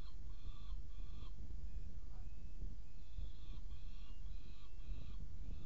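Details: Saker falcon in Hungary at feeding time, 21:03 on 17 May 2017, gives harsh, scratchy calls in short repeated bursts about one to two seconds apart, over a heavy low rumble of wind or microphone noise.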